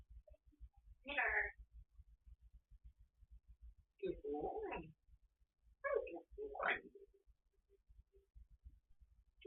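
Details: Pet African grey parrot talking to the TV while alone at home. Three separate bursts of speech-like, harmonic chatter, each about half a second long, come with pauses between them, over a quiet low background ticking.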